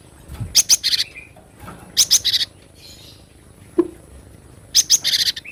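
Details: Wild cinereous tit recorded in natural surroundings, used as a tutor song for training captive birds: high, sharp, rapid note clusters repeated in three bursts about every two seconds, with faint rustles and a soft low thud between.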